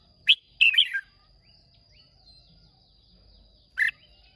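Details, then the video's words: Caged red-whiskered bulbul from Hòa Bình, Vietnam, recorded 30 May 2023 singing in a contest: a short sharp note, then a quick warbled phrase, then another bright chirp after a pause, over a steady faint high hum. "Cận Cảnh Chào Mào Hót Đấu Rất Đẹp Rất Hay Gốc Hoà Bình"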